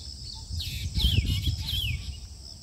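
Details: Black drongo (Dicrurus macrocercus) at Harohalli Lake, Bangalore North, in mating season, calling to another drongo: a few high, slurred whistles sweeping downward over about a second and a half, over steady low wind or background rumble.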